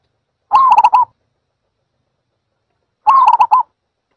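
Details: Two matching zebra dove phrases about two and a half seconds apart, each a wavering coo dissolving into a fast staccato trill of soft notes, on a clean, quiet background.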